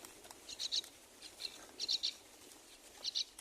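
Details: Four myna chicks in a nest while being fed, giving thin, high chirps in quick pairs and short bursts, repeated at irregular intervals about once a second, with soft rustling in between.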